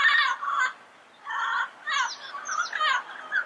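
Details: Throaty, harsh squawks from a Yellow-headed amazon: two grating notes, a pause, then a cluster of rougher calls with a few sharp rising inflections.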